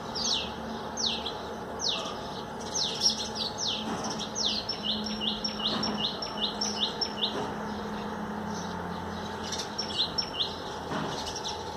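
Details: Common tailorbird in a garden, bathing on trees just watered, singing a long run of sharp, high, rapidly repeated notes that quicken into a steady chipping series, over a constant low hum and background noise.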